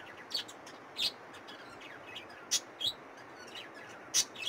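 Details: Young budgerigars making isolated sharp, high chirps spaced irregularly a second or so apart, each brief and thin, against steady low background noise.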